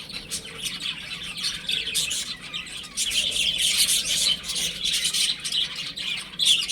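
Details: A group of baby chickens at home peeps steadily, with bright piercing chirps swelling louder around the middle and again at the end.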